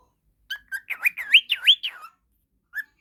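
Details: Pet falk-type budgerigar, described as whistling constantly and kept as a tutor bird for training others; rapid looping whistled slurs swing up and down, then two short chirps after a pause.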